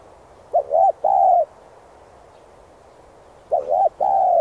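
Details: Spotted dove song used to train decoy birds: two coos in this clip, each a short rising-falling double note followed by a longer steady slightly falling coo, about three seconds apart, clear and low-pitched.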